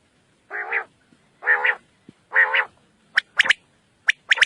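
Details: Common quail calling outside its cage: three low, nasal, buzzy notes come first, then a sharp triple-note 'whit wit-wit' phrase twice. The air is otherwise quiet.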